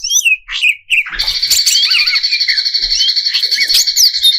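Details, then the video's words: Greater green leafbird in a provocation song for competition birds. A few whistled slurs open into a sustained buzzy trill overlaid with quick twisting notes, repeated almost four times a second. "Cucak Cungkok Istimewa ~ Full Isian Variasi ~ Pancingan Cucak Cungkok Emosi"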